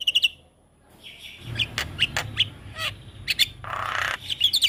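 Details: Jalak kebo (Javan myna) masteran for young birds: a few short whistled chirps, then a hush, followed by scattered harsh notes and a buzzy hiss over a noticeable low rumble.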